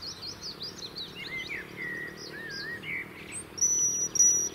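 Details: Singing European robin in the UK, defending a winter territory: soft wavering whistles sliding between high and lower pitches, ending in a sustained, piercing thin whistle.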